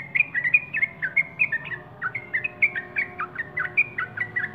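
Sooty-headed Bulbul giving a fast, bubbly run of short whistled chirps, several notes each second, rising and dipping in pitch over a faint low hum.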